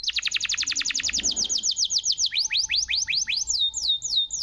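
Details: Canary master song for making stalled canaries sing again: a very fast trill of high sweeps, then slower rising and falling whistled slurs, with faint background noise.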